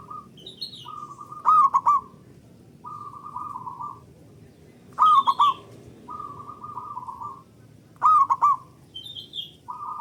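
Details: Local zebra dove singing loudly and at length as a lure to set other doves singing. Loud, clipped, trilled coo phrases return roughly every three seconds, with softer purring trills between them and faint high chirps from another bird.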